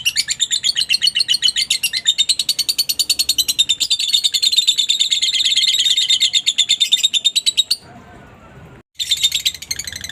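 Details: Lovebird song played to provoke quiet lovebirds into calling back: dense, fast, shrill chattering, pulsing about eight times a second for nearly eight seconds, then a short pause before the chatter resumes.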